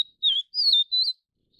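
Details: Vivid niltava of the endemic Taiwan subspecies vivida, feeding chicks, gives three smooth high whistles in quick succession. The notes are a dipping one, then a long falling one and a wavering one, with a faint trailing note after them.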